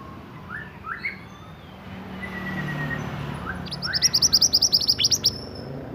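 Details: Pied bushchat, a native Indonesian species, singing for songbird training: scattered short rising chirps from other birds, then a one-and-a-half-second rapid trill of bright high notes, with traffic-like rumble in the background.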